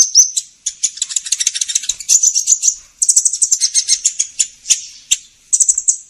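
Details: Sunbird lure sound (kolibri ninja) used for trapping: continuous rapid high twittering and dry rattling chatter in fast pulses, broken by brief pauses.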